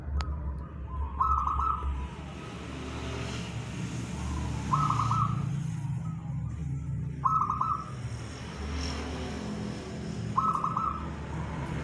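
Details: Local wild zebra dove singing, a recording used as bait for bird trapping: four short trilled cooing phrases repeated roughly every three seconds, partly masked by loud broadband rushing noise and low hum.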